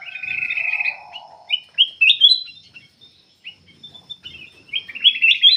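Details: Black-capped bulbul in full, constant song, used to lure other birds into singing: bright chirped and warbled phrases high in pitch, a long buzzy trilled note early on, then clusters of quick rising whistles.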